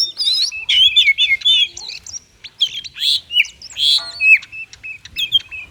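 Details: Konslet-style singing by an oriental magpie-robin meant to spur lazy birds to sing: bright chattering bursts of warbled and slurred notes, fast and irregular, with brief pauses between clusters.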